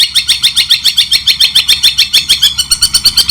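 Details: White-rumped shama imitating the long-tailed shrike in a training recording: a fast, evenly pulsed rattle of high harsh notes running without a break.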